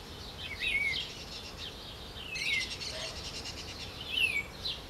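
Green-winged saltator gives three short whistled phrases, each sliding downward, about every two seconds over a steady hiss of background noise.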